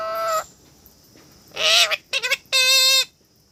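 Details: Parrot talking: a flat, nasal, droning tone, a harsh rasping squawk, a quick trio of clipped syllables, then a loud sustained flat note, over a faint steady high hiss.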